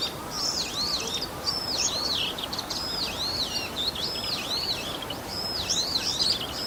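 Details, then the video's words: Male Bull-headed shrike singing on 28 March 2015, imitating calls of other birds such as sparrows and Oriental greenfinches; a steady run of high arched, looping whistled notes, repeated roughly twice a second, bright and twittering. "モズ "Lanius bucephalus" の鳴き声。（他の野鳥の鳴き真似）"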